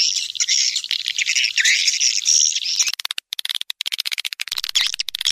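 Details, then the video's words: Swiftlets, a lure sound used to attract the birds: about three seconds of dense, high twittering chirps, then a run of sharp, rapid clicks separated by short silent gaps. "Suara Tarik Burung Walet"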